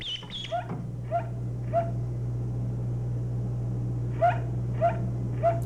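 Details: Mallard hen alarm call, given only when a predator is near the nest, played from a loudspeaker to a duckling hearing it for the first time. Short, low calls repeat about every 0.6 seconds after brief high peeps, over a steady electrical hum from an old VHS tape.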